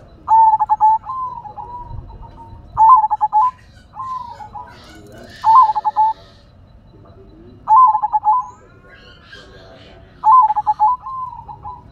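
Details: Zebra dove of silver colour in steady song: staccato bubbling coos rolling into sustained purring tails, phrases repeating roughly every two and a half seconds, with faint human voices behind.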